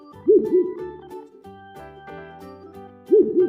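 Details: An owl gives short, low, arched hoots in pairs, one pair near the start and another at the end, over continuous background music.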